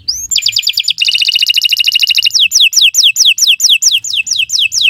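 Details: Canary song used to train other birds: a rising note, a dense fast trill, then regular descending whistled notes repeated several times a second.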